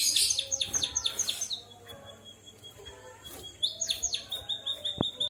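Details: A white-headed munia sings with a canary's voice, opening with a loud, rich, fast trill, a long thin steady whistle, then another burst of rapid high rolling notes, ending in a sharp click.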